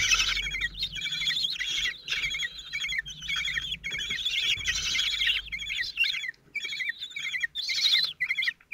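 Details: At a Théding nest on 26 June 2023, four 16-day-old common kestrel nestlings call as their father brings food: dense, quavering high squeals in rapid overlapping bursts, with brief gaps and light rustling.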